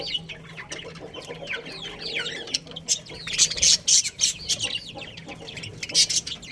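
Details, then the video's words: Budgerigars in a colony with a breeding pair, chirping continuously: dense, overlapping warbled chatter of quick rising and falling notes, broken by sharper scratchy bursts around the middle and near the end. "Cute Budgies Chirping Sounds"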